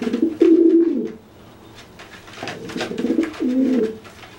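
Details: Dry pigeon cooing at a wet one after its bath, looking bigger to threaten it; a strong low coo at the start, then two shorter rolling coos after a pause, with faint clicks.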